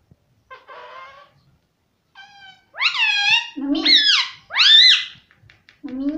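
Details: Pet ring-necked parrot kept at home, talking and repeating the word "mummy": a series of harsh, harmonic, rising and falling syllables, with a softer lead-in before them.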